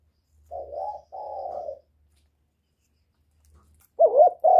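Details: Spotted dove used to stimulate birds: two soft, rough coos, then a long silence, then a wavering, bending coo at the end.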